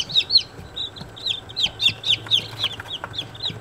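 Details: Day-old Australorp chicks peeping loudly, a dense run of high, bright chirps, each a short rising-then-falling whistle repeated several times a second, over low background hum.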